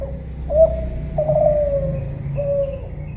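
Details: Spotted dove of the Kelantan type, cooing: a short rising coo, then a long, slightly falling, tremulous coo, then a final even coo. A low rumble sits underneath.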